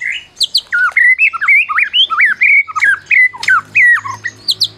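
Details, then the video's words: Champion Medan white-rumped shama singing as a lure for mute shamas: a lively string of clear whistled notes, each bending up then down, delivered rapidly with a few very high thin accents. "Masteran Murai Batu Medan Berprestasi !! Murai juara,, cocok pancing murai lain yg bisu"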